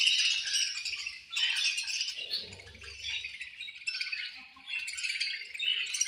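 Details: A group of budgerigars at feeding time fills the air with busy, high-pitched chattering and squeaky chirps, swelling and fading in short waves, plus a brief low rustle.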